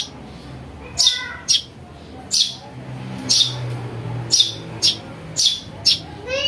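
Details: Sparrow chick chirping to lure other birds: high, sharp notes in loose pairs, roughly one per second, with a low hum in the background.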